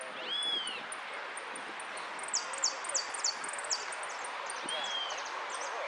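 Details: A jilguero finch competing in a song contest gives arched, whistled notes and a fast run of high, falling chips, several a second, over steady background hiss and faint voices.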